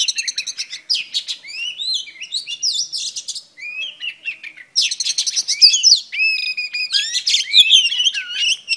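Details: A female oriental magpie-robin sings to stimulate males: a rapid, varied string of sweet whistles, slurred rising notes and chattering trills, with brief pauses between bursts.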